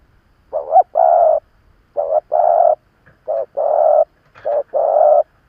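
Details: Spotted dove used as a veteran decoy to incite wild rivals, cooing in fairly quick succession: four phrases of a short note then a sustained coo, with faint background rustles.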